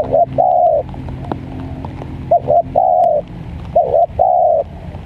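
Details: Zebra dove in the rainy season: soft, slurred coos around mid pitch, short notes followed by longer held trills, repeated in phrases over a low rural background hum.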